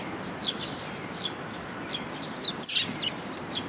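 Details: Young Eurasian tree sparrows arriving at a post-top feeding spot at a shrine on 1 June 2022, giving short high chirps in spaced bursts, with a louder, busier flurry near the end over quiet outdoor background.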